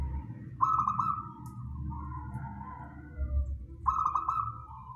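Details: Song of a wild local zebra dove, played to lure birds for catching: stuttering rolled opening notes sliding into a long mellow whistled coo, repeated after about three seconds, a quieter softer coo in between, faint low background rumble.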